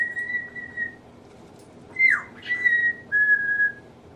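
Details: Household African grey parrot, which also runs through its vocabulary, whistling clear level notes, then a swooping slide down and back up, followed by two more steady whistles.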